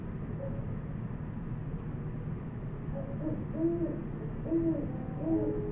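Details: Great horned owl recorded in the field in New Mexico with a Sony PCM D100: low soft hoots begin after three seconds, three spaced notes about a second apart, over steady low rumbling background noise.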